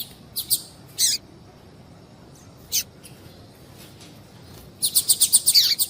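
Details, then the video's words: Female double-collared seedeater calling repeatedly, a recording breeders use to stimulate singing in males: a few scattered high, sharp chips, then a quick run of about eight bright chirps near the end over a faint hiss. "fêmea de papa capim chamando"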